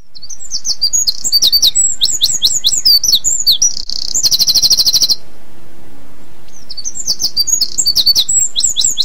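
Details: On an early February morning in Mill Road Cemetery, Cambridge, near the breeding season, a Eurasian wren sings to advertise to mates: a loud, rapid burst of high, sharp notes with a fast rattling trill midway, then again, amid dawn chorus and low hum.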